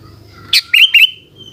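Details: Afternoon song of a sooty-headed bulbul, a sharp high note followed by two rapid rising whistled phrases, ending in a thin sustained tone, with faint low background rumble.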